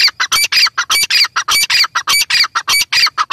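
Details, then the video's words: Female Grey francolin (teetar) calling close by: loud, harsh, rasping squawk notes repeated quickly and steadily, nearly two per second, each a broad noisy burst with a thin high ringing tone, over a quiet background. "female teetar ki awaz"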